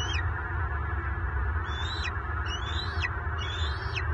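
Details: Bald eagle at a southwest Florida nest on March 24, 2023, as the resident male, raising eaglets alone, locks talons with an intruding adult; three thin, high piping notes, each ending in a sharp downward slur, over a steady low roar.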